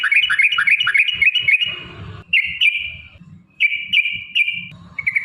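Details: Sooty-headed bulbul in long rapid fighting song, used as a lure to make other bulbuls sing: a quick run of rising whistled notes, then drawn-out level whistles broken by short pauses, over soft low thumping.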